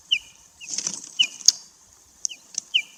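A bird gives short, high, down-slurred chirps, about five in three seconds, over a soft rustling hiss and a few sharp clicks.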